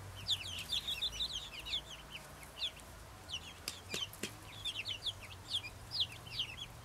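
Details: Little flock of happy Brahma chickens chirping in bursts of short high-pitched peeps, repeated rapidly in an overlapping chorus, with a couple of sharp clicks midway and faint low hum beneath.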